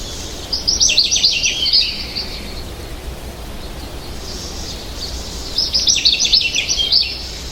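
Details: American goldfinch singing two bursts of fast, bright, high twittering warbles several seconds apart, separated by quieter faint notes, over steady background noise.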